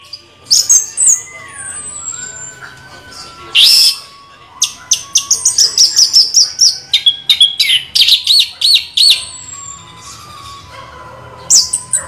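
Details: Orange-headed thrush in nonstop rolling 'ngeroll' song, mixing high thin whistles with long rapid sequences of sharp repeated notes, a steady chattering stream of high-pitched phrases.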